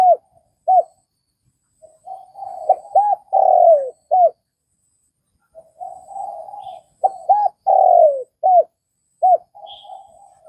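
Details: Cooing spotted dove, Vietnam: two repeated phrases of muffled low notes, several bouncing arched notes, a prolonged downward-gliding coo and a short closing note, about six seconds apart.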